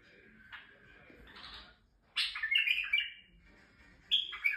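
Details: Male white-eared bulbul in Turkey singing to stimulate females: soft warbled notes, then a loud burst of rich whistled, slurred phrases mid-clip and another brief bright phrase at the end, over quiet background.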